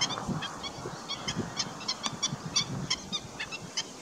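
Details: Black-winged stilt calling: rapid, sharp yelping notes repeated several times a second at an uneven pace, often overlapping as though from more than one bird, over a low rumbling background.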